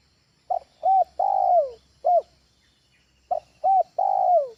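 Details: Spotted dove training call for luring birds: clipped hoots and a long coo ending in a downward slide, an extra single hoot between two repeated phrases.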